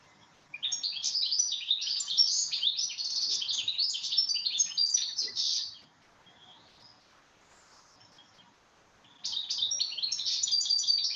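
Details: European goldfinch natural song, as heard along the Manzanares: a fast, high, tinkling jumble of twitters and buzzy trills, with a pause of about three seconds before it starts again.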